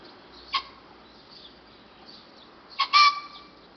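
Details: A young green pheasant, not yet able to call long, gives a brief hoarse note, then a longer, harsher burst, with quiet hiss between calls.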